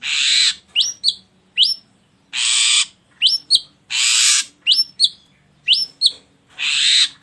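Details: Ashy drongo song used as a lure to make other birds sing. Loud, rasping, hiss-like blasts alternate with quick upslurred whistles, usually two or three whistles between each harsh burst, in a steady cycle.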